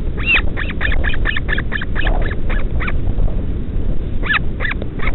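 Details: At night, a parent feeds a northern royal albatross chick at the colony on Pukekura/Taiaroa Head, near Dunedin, New Zealand. The chick makes quick strings of short, high, nasal squeaks, pauses, then calls again. Heavy low wind noise fills the background.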